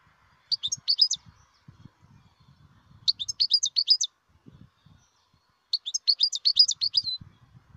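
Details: Wild European goldfinch singing: three bursts of rapid, high, tinkling twitters, each about a second long and separated by pauses of roughly two seconds, over a faint low rumble.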